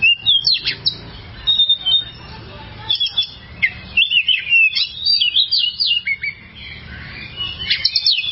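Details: Oriental magpie-robin (kacer) singing for caged-bird training: rapid, varied chirps and whistles in dense bursts, with quick zigzag notes and short pauses between phrases.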